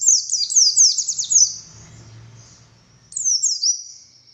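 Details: Buxtoni Oriental white-eye with fast, high twittering: a quick run of thin descending chirps, a gap with faint low rumbling, then another short string of sharp high notes.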